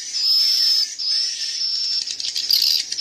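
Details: Young swiftlets calling, a mix of chick and adult sounds: a continuous high, thin, buzzy whistling hum with slight wavering, holding steady before breaking briefly near one second, then continuing with flickering upper notes.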